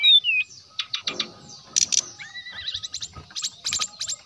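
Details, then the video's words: Brown-chested jungle flycatcher singing a lively lure song meant to provoke rival flycatchers: a falling whistled note, then scattered sharp high chips and short clicking bursts, with a brief rising whistle midway. "SRDC GACOR SRDC NYULING SRDC NGGEPLONG ,SIKATAN"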